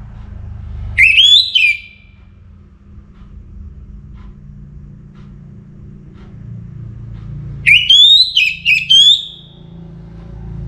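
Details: Orange-headed thrush in song before morning: two rich, warbling whistled phrases about seven seconds apart, each climbing and ending in quick flourishes, with a soft low hum between them.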